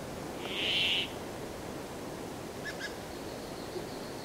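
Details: Brambling song: one harsh, nasal buzzing wheeze lasting about half a second, followed by two faint short clicks and a thin, quiet trailing tone.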